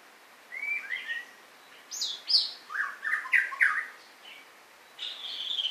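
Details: White-rumped shama delivering a varied song: soft whistled slurs, a sharp high upswept note, a burst of rich warbled phrases, then a sustained high thin whistle, all loud against a quiet background.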